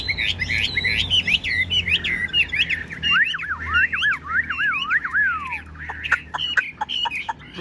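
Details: Tamed Chinese hwamei in a cage, spread-tailed, singing a fast run of sliding whistles that drop into steep swooping notes, ending in short sharp chips; low hum underneath.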